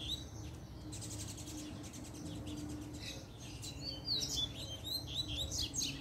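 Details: Puxada song of a double-collared seedeater, sung as a challenge to rivals. After a quieter, buzzy start, the bird breaks into quick, whistled, swooping high phrases in the last two seconds. Faint low hum throughout.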